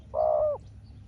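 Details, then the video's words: Single short rolling coo from a spotted dove contesting a wild rival dove, a smooth level note lasting under half a second, over low background hum. "เสียงนกเขาใหญ่ เจอนนกป่าเสียงเล็กคูดีคูสู้กันอยู่นานกว่าจะติดแลกกกันคนละทีทีีลุ้นมันเลย"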